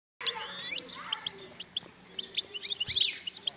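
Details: Wild European goldfinch singing: a fast liquid twitter of high, bright notes with quick upward-curving slurs early on, then a dense burst of sharp chips and trills toward the end over a faint hiss.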